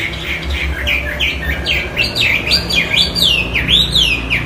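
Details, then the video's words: Hwamei singing strongly: a chain of looping, up-and-down whistled notes, each slurred and repeated in quick succession, growing louder toward the end, over low hum. "Hwamey Wambi gacor isian istimewa"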